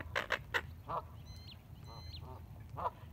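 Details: Ducks quacking at sunrise on the Colorado River at Needles, California, April 12, 2021, 6:16 AM, recorded on an iPhone 7: a few loud harsh quacks, softer nasal quacks, faint higher bird whistles, engine hum and water noise.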